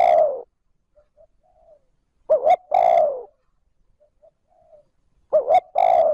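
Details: Decoy spotted dove in 'trơn ròng' style, calling to lure and stimulate wild doves. Each phrase is a short two-part hiccup followed by a sustained, slightly falling coo. Roughly three phrases are heard, with clean silence between them.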